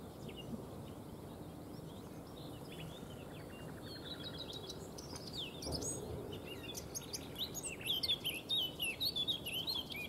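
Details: A Eurasian blackcap sings in the background at Neerijnen, the Netherlands, while a white stork forages: a quick, varied warble of high chattering notes growing louder and richer, over steady hiss.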